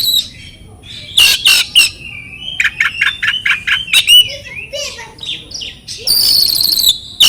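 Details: Oriental magpie-robin training song meant to prompt silent birds to sing: loud harsh chirps, then a rapid series of repeated clipped notes, soft lower phrases, and a closing burst of high buzzy, rattling notes.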